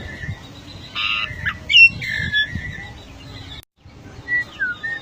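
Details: A golden myna, a rare bird endemic to Papua, gives a harsh nasal squawk, then a run of clear, sliding whistles, some rising and some falling, with a brief break partway through.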